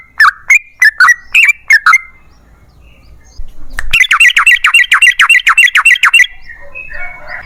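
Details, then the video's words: Yellow-vented bulbul in a long rapid-fire lure song to set other bulbuls singing: six spaced, liquid chirps, a short pause, then a fast, even rattle of bright notes lasting over two seconds. "TRUCUKAN GACOR Ropel Panjang Buat PANCINGAN TRUCUKAN Agar Bunyi"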